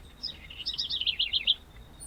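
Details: House wren (corruíra) from Brazil, one of several regional examples of song dialects, sings a quick, bubbling run of high, scratchy trills and chatters lasting about a second and a half, with only faint background noise.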